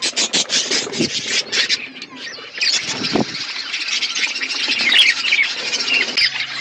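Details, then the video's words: Flock of budgerigars feeding on winter foods in Asia: rapid clicking chirps opening into continuous bright warbled chatter from many birds. "Beautiful budgies flocks Budgies parrots winter foods"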